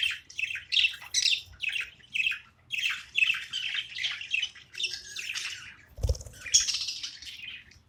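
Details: A budgerigar kept as a pet chirps during playtime: a string of short, harsh, squawky high notes at a steady quick pace, with a single low thump partway through.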